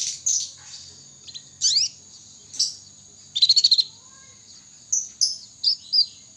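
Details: Young canary practising its song: a varied string of high chirps, quick rising and falling sweeps, and a short rapid trill of about six notes midway. A constant thin high tone sounds in the background.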